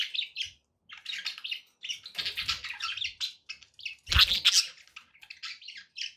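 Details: Pet budgerigars chattering in a flock: busy, high warbling chirps and squeaky twitters in uneven bursts, with brief pauses between clusters and one louder, harsher squawk near the middle.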